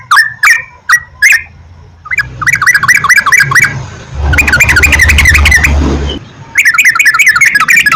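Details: Lure song of the Yellow-vented bulbul for morning, midday and night, meant to prompt kept birds to sing: a few spaced chirps, then fast chattering runs, with a loud rumbling vehicle passing in the middle.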